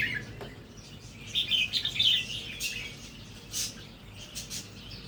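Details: Red-whiskered bulbul from a natural line, now beginning to double its phrases; a run of short, bright, bubbling notes forms one warbled phrase, with faint chirps and hiss behind.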